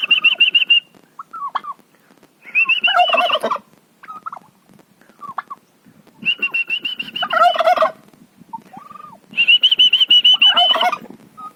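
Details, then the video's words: A farm-house turkey calls in loud, rapidly pulsed bursts about a second long, spaced three to four seconds apart, interleaved with short squeaky wavering notes. "turkey bird in atitude at my farm house"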